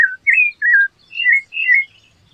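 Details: Four smooth, flute-like whistled notes from a rufous-bellied thrush, each slurring slightly downward, evenly spaced.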